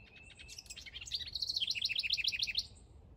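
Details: A house wren in a backyard, where the male is building a nest for the female to inspect, sings a brief scratchy chatter breaking into a fast, bubbling cascade of high trilled notes, about six per second, over faint background rumble.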